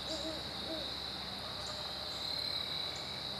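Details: Great horned owl duet recorded September 15, 2012: two short, low, soft hoots open the clip, then fade beneath a steady, high, shrill insect chorus that runs throughout.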